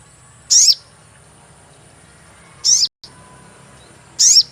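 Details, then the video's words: Sogon lure call for trapping: three shrill, very high chirps, each falling steeply with a descending tail, spaced roughly two seconds apart, with a brief dropout after the second and a constant background hiss. "cuit cuit pancingan burung sogon"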